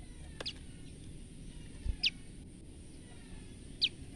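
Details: Frightened female olive-backed tailorbird giving three separate piercing high chips, each a fast downward sweep, spaced irregularly over about four seconds against a low constant hum.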